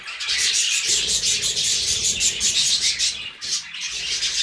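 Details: Budgerigars singing a steady, high, twittering warble of closely packed chirps and soft rasps, dipping slightly just past the middle, then continuing.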